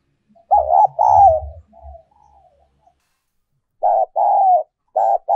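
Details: Spotted dove decoy call of the whistle-like style called giọng kim: mellow mid-pitched coos in paired phrases, a short note then a longer wavering one, repeated after a pause, with faint low thumps.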